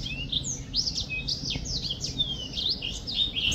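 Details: High, thin whistled slurs and short chips from a singing black-throated finch, several long drawn descending notes mixed among rapid twitters, low rumble faintly beneath.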